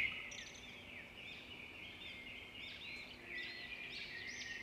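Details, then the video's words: Red-whiskered bulbul fighting, with a continuous stream of quiet warbled and whistled notes, some sliding upward, over a steady low hum. "chim chào mào chiến"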